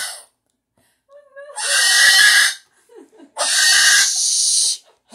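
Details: A pet cockatoo making late-night noises gives two long, harsh, raspy screeches about a second apart, each lasting over a second, with soft low mutters between them.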